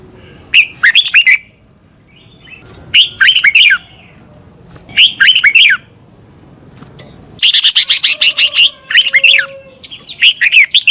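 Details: Caged Red-whiskered Bulbul song from Thailand, played for training young birds to copy: short bright warbled phrases around mid-high pitch, repeated in bursts every two seconds, ending in a longer rapid run of chirpy notes.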